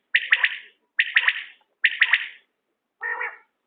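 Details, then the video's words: Common quail giving three quick three-note phrases, each a sharp liquid triple whistle about a second apart, followed by a lower, softer grating call. "بٹیر کی عمدہ بولیاں"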